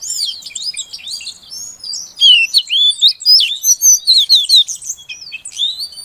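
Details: Female Oriental magpie-robin voice used to coax a silent male to sing: soft twitters at first, then a string of loud clear looping whistles, each burst about half a second apart.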